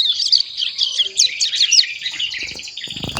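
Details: Young ciblek gunung just over a month old, learning to sing while tutored with kapas tembak and canary songs: a rapid, high, jumbled twitter of sharp chirps and buzzy trills, with low knocking noises near the end.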